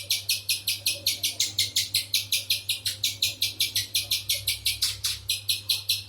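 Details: Insistent series of sharp, high chips from a spiderhunter, close to three a second with occasional lower slurred notes, over a continuous faint low hum.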